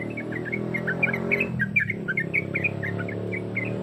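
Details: Yellow-vented bulbul female calling to the male: quick chirped notes in little bursts, delivered about three or four per second over a steady low hum and background murmur.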